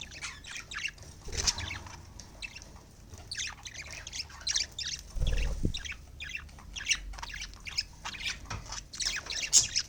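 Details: Pet budgerigars chattering with busy scratchy chirps and squawks rising and falling throughout, at their evening meal before bedtime in winter.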